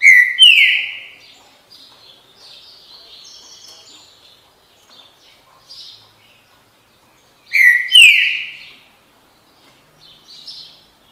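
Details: Green-winged saltator repeating its loud phrase of downward-slurred whistles twice, about seven seconds apart, with soft chirps from other birds in between.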